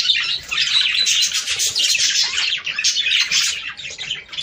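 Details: Budgerigars warbling, their sound meant to stimulate breeding: a dense, continuous chatter of overlapping chirps, squeaks and twittering notes from several birds, steady and unbroken with brief dips in loudness.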